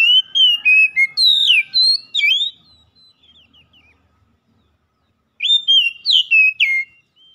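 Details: Oriental magpie-robin song for a stressed bird that has stopped singing: a rapid string of loud, sharply sliding whistles, a quiet gap with a few soft notes, then another fast whistled burst.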